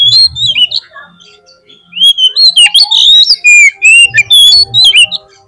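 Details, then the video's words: Oriental magpie-robin singing a lively lure song intended to make other magpie-robins respond. A brief whistled opening and a short lull lead into a dense, loud stream of sweet whistles and sharp chattering notes. "PANCINGAN KACER GACOR 30 MENIT AUTO MONCER DI LAPANGAN"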